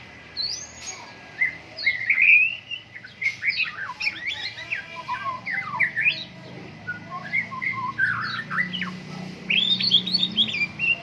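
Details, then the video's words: Caged white-rumped shama in Medan, Indonesia, aired in morning dew, sings long stretches of rapid squeaky, chattering and whistled notes in varied short bursts, with a low hum underneath. "MURAI BATU GACOR, PROSES BURUNG MURAI PENGEMBUNAN PAGI"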